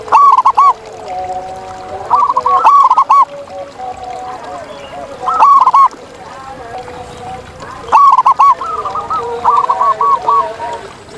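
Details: Wild zebra dove in natural surroundings giving loud bursts of rapid staccato cooing every two to three seconds, while several quieter doves coo softly behind it.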